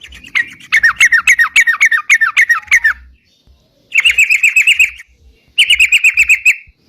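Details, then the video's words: Sooty-headed bulbul singing gacor as a bird-catching lure: a rapid series of downward-slurred chirps, then two shorter, tighter bursts of quick repeated notes separated by silences. "suara crucukan gacor bisa buat pikat"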